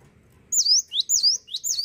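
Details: Cinereous tit singing: three quick, piercing whistled notes in a row, each swooping down and then climbing, clear over a quiet background.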